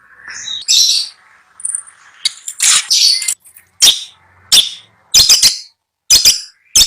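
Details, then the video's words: Long-tailed shrike for sale in a cage in Bondowoso, Indonesia, producing a scratchy warbled passage followed by sharp harsh notes in spaced bursts and quick doublets. "Suara merdu burung cendet"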